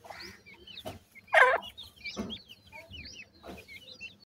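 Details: Gora teetar francolin chicks feeding: thin high chirps and looping peeps scattered throughout, punctuated by a loud harsh cluck around one and a half seconds and several softer rough calls.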